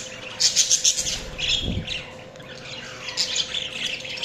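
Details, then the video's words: Budgies chirping: a quick run of sharp, high chirps, then a soft thump and quieter scratchy chatter that builds again toward the end, with a low hum under it. "Budgies Chirping sounds"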